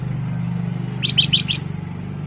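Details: Lure song of a caged-training ruby-throated bulbul, one short phrase of four rapid, bright chirping notes over a constant low droning hum.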